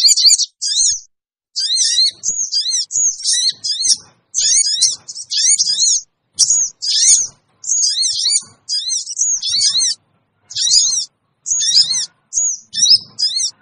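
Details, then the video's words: High, sharp chirping phrases of the small sogon bird, used as a lure for wild birds, come in short bursts about every second with brief quiet gaps between. "suara pikat burung kecil sogon bikin sogon liar cepat ngumpul"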